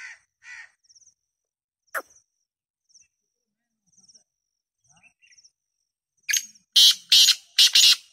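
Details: Black francolin giving its call: scattered faint chirps and a brief sharp note, then a loud run of four harsh, rasping, grating notes delivered rapidly near the end, in an otherwise quiet outdoor setting.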